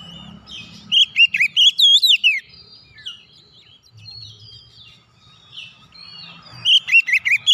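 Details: Oriental magpie-robin song used to coax a silent bird back into full song: loud, clear whistled phrases with sharp up-and-down slurs in two bursts, the first around one to two and a half seconds, the second near the end, separated by quieter twittering.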